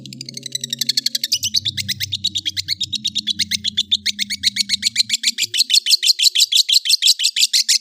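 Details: Cendet, a long-tailed shrike, singing a long, rapid series of short, bright, repeated high notes, about three per second, that gradually gets louder over a steady low hum.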